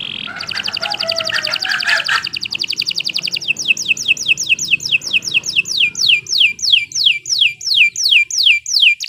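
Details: Canary singing a fast buzzy trill for several seconds, then a long series of bright downward-sweeping whistles that gradually spread apart and grow louder.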